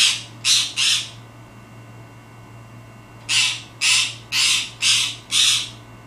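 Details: A pet parakeet that barks to get attention gives harsh, bark-like squawks: a quick run of three, a pause, then five more about twice a second, over a faint steady indoor hum.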